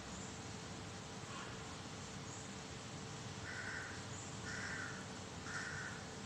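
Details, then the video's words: A black crow gives three harsh, hoarse caws about a second apart, with a fainter one earlier, over a low rumble, recorded 13 May 2023; crow calls. "เสียงการ้อง อีกาดำร้อง"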